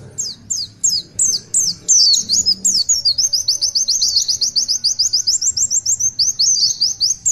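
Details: Oriental white-eye, long 'tulitwitwit' song: spaced high, descending whistles at first, then a fast, steady train of about thirty thin chirps ending in squeaky twitters.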